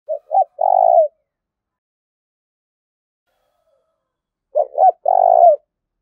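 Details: Spotted dove decoy male calling aggressively to provoke a rival: two low cooing phrases about four seconds apart, each two short coos followed by a long, slightly falling croo, with silence between.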